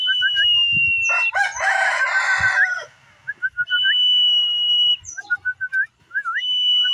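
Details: Tame common iora singing actively: long, steady high whistles alternating with short rising whistled notes, interrupted midway by a loud rooster crowing.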